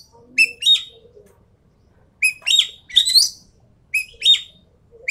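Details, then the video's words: Javan pied starling singing in full 'tembakan' (rapid-fire) style: loud whistled notes with harsh harmonics, each followed by a buzzy rising phrase, in bursts about two seconds apart, with faint low murmurs beneath. "BURUNG EKEK KELING SUARA FULL TEMBAKAN"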